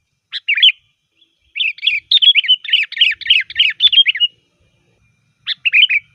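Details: Sooty-headed bulbul in full, varied song used to lure bulbuls: a short whistled phrase, then a rapid chattering run of bright, bubbly notes lasting over two seconds, then another short phrase, in a quiet background.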